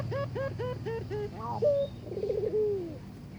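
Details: Barbary dove given a mate and courting it: six regular, slightly rising short notes, a brief sharp whistle, then a bubbling trill into a drawn-out falling coo, with low hum underneath.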